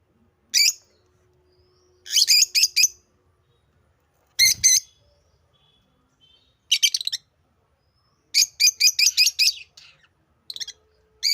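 Lovebirds give shrill, high chattering squeaks in quick bursts of three to six notes, with short pauses between bursts.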